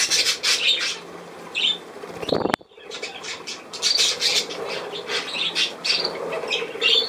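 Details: Budgerigar flock chatter of scratchy chirps and squawks, broken midway by a sharp loud knock and a brief near-silence before the warbling resumes.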